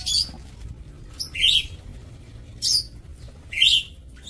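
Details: Breeding lovebirds in an aviary, 2 October 2024: four separate sharp, high squeaky chirps spaced roughly one second apart, some with a downward slur, over a faint low hum.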